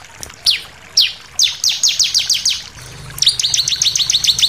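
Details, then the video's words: Bar-winged prinia song used as a lure to provoke other birds to sing: a series of sharp descending whistled notes repeated rapidly, pausing, then a faster run of high chirping notes. "pancingan ciblek bahan langsung emosi nembak"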